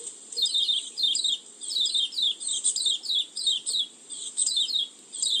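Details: Bird-luring song of an oriental white-eye: lively high twittering phrases of down-slurred notes in rapid bursts, closely spaced, with an even high hiss behind.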